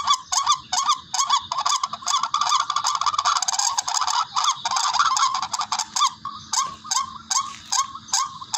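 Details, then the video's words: Barred rail calling, a recording meant as a hunting lure: rapid harsh, rising-and-falling nasal notes, a dense overlapping burst midway, then evenly spaced single notes again toward the end. "HONI NG TIKLING SOUND EFFECT BIRD HUNTING RUAK RUAK"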